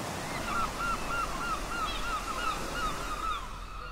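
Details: Gulls at a port calling in a quick run of short, yelping notes about three per second, each with a slight falling tail, over a steady wash of waves.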